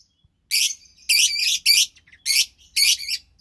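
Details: Two lovebird chicks from white pastel violet and pastel mauve parents, March 3rd, 2021: five harsh, raspy, hissing bursts, each about a quarter to half second long, separated by brief pauses.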